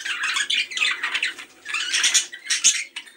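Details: Breeding-stimulation chatter from budgerigars: rapid, grating warble of squeaks and rasping notes in two or three swelling bursts, with a soft constant hum underneath.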